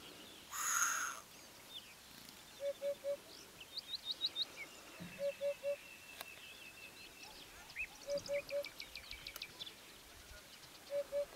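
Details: Eurasian hoopoe in Bulgaria in spring 2015, singing soft, low hollow triple hoots, 'oop-oop-oop', repeated about every three seconds, with other small birds chirping and twittering higher up.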